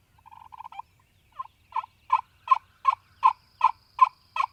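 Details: Male wild turkey gobbling in spring in Mississippi, morning: a fast stuttering lead-in, then about nine loud rattling bursts spaced evenly, each a throaty burbling pulse, in a quiet setting with no other clear sounds.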